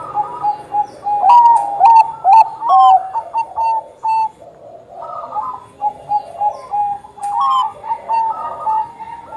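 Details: Bangkok-type zebra dove singing, played as a lure to get other doves to sing. Soft, mellow cooing phrases with warbled notes repeat in bursts, and sharp high chirps from other birds cut in.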